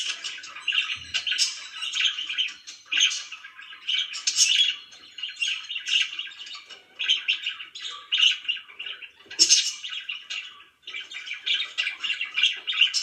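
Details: Budgerigar kept as a pet, chirping over a long stretch: busy, buzzy warbled phrases in short clusters separated by brief pauses, one louder squawk near the middle.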